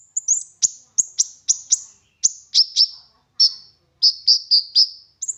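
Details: Series of sharp, high, downward-slurred chips from an olive-backed sunbird, repeated about every quarter to half second, played as a lure to make other sunbirds sing.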